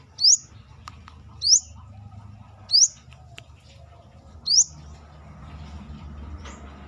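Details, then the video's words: Brown-throated sunbird singing outside its cage, four quick high, sharply rising notes about every second and a half, over steady low-pitched background noise. "KORLAP (Kolibri kelapa)Manggar gacor luar sangkar"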